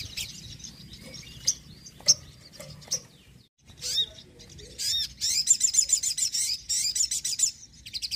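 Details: Sogon song for drawing wild birds and stimulating caged birds that rarely sing; a few scattered sharp chirps at first, then a dense stretch of rapid high twittering bursts.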